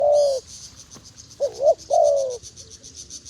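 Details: Wild dove calling: low, hollow coos, each a short swelling note followed by a longer sliding one, with a steady high insect whirring throughout.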